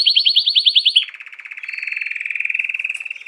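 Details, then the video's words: Canary song: a fast, loud trill of sweeping high notes breaks into a lower, softer rolling buzz that pulses rapidly and steadily to the end. "FAÇA SEU CANÁRIO ABRIR O CANTO EM MINUTOS"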